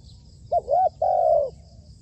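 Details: Rooftop-trained decoy spotted dove: a short clipped note, then an arched coo, then a long steady coo that falls slightly at its close, all soft and hollow in tone.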